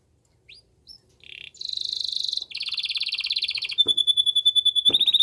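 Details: Powerful canary song meant to stimulate the female into mating: a few soft chirps, then loud rapid rolling trills and a long, sustained, high pulsing trill with faint knocks.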